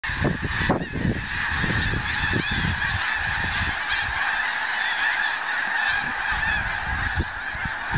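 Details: Large flock of Canada geese on migration in a backyard; snow geese are also named. A dense, continuous chorus of overlapping nasal honks forms a steady wall of sound, with low thumps and rumbles beneath.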